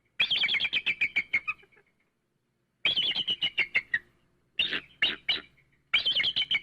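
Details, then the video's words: Eagle call played to scare birds: three rapid high-pitched chattering runs, each a string of quick staccato notes sliding slightly downward, with short silences between and a brief fourth burst at the end. "eagle sounds to scare birds | eagle sound"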